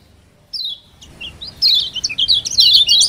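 A Lombok mountain white-eye gives a slurred high whistle, then a fast, dense run of thin, bright chirps and twitters, rising in energy toward the end.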